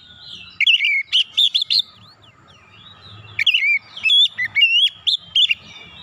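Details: Oriental magpie-robin giving a lure song to prompt untrained birds to sing: two bursts of lively, slurred whistles and chirps, with a pause of about one and a half seconds between them.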